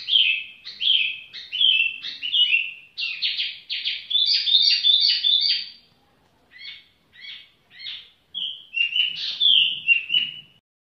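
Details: A tiểu mi bird sings at ease: dense rapid warbled phrases of high whistles and trills for six seconds, a short silence, then spaced single notes and a final fluent whistled run.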